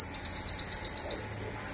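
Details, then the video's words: Rapid zipper song of a local olive-backed sunbird, played to train other birds: a brisk string of about ten high clipped notes, ending in a thin sustained whistle. "Konin Lokal Tembakan Zipper||Andalan Kicau Mania||Masteran Burung"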